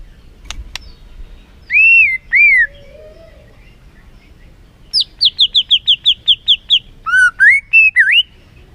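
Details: White-rumped shama song used as a lure to excite a reluctant bird into full song: clear slurred whistles, then a quick series of about ten short high notes, ending in looping warbled phrases; a few clicks earlier.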